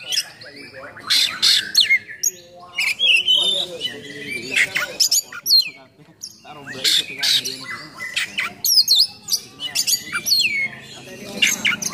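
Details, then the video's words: Oriental magpie-robin in full 'nembak' song with coarse 'isian kasar' fill-ins, used to provoke and train other magpie-robins; dense harsh, scratchy phrases mixed with high whistled slurs pour out almost without pause. "Kacer Gacor Full Nembak Isian Kasar Bikin Emosi Kacer mu"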